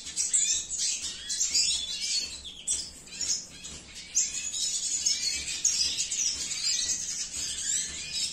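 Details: Male red siskin, cinnamon mutation, singing a continuous high, rapid twittering song of thin chirps and buzzy trills, with busy overlapping notes throughout.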